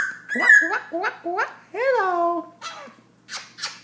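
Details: Black-throated laughingthrush singing non-stop at 11pm, nearly ten minutes straight: a quick run of four rich, slurred whistles, then a longer bending note and a few softer trailing calls, as a person repeatedly says hello to it.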